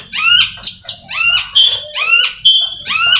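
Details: Caged Oriental magpie-robin prepared for song contests repeating rising, whistled upward-sweeping notes about once a second, interspersed with short sharp clicks and a held pure tone.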